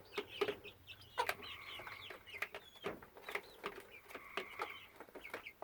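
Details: Young hen, 10–12 weeks old, with an unusual constant sound since May 22, 2017; quieter recording where a steady, even tone with overtones recurs among scattered chirps and clicks.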